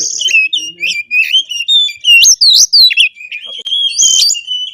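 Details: Oriental magpie-robin (kacer) in konslet style, used as a lure recording to spur other kacer to sing: loud, varied whistled phrases with sharp upward sweeps and rapid chattering notes, steady high pitch, brief gaps between bursts.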